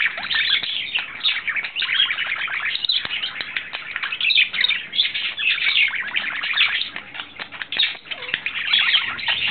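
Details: Courting male budgerigar, in love, April 2009, giving an unbroken, rapid stream of scratchy chirps and clicks, a busy, buzzy chatter that runs on without pause throughout.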